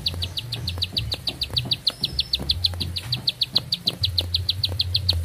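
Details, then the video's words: Lively bar-winged prinia delivering a single sustained song, a rapid run of sharp, high, clipped notes at a steady pace of roughly seven per second, with a low rumbling hum underneath. "Nafas Panjang, Nembak Satu Lagu, Ciblek Sawah Gacor"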